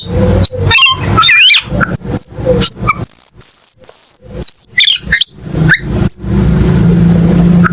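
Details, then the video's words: Cucak keling sings a scratchy chatter, then a long high whistle, then scattered chirps, over a steady low hum. "MP3 BURUNG CUCAK KELING"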